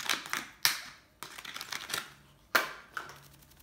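Sharp clicks and rustling handling noises in a small room, with no animal voice heard.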